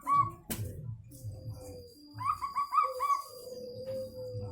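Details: Zebra dove of local wild origin with a strange-sounding call: one fast series of about six short, bouncing coo notes, with a sharp click beforehand, low background hum and a faint high whine.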